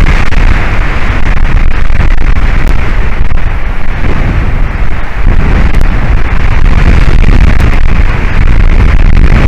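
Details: Loud continuous low rumble of wind buffeting the microphone, with occasional faint clicks and no animal sound.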